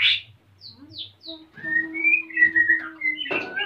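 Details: Breeding male white-rumped shama kept in captivity at Salaman, Magelang, Central Java; high descending whistles, then a long warbled phrase over a steady low hum, ending in a noisy burst.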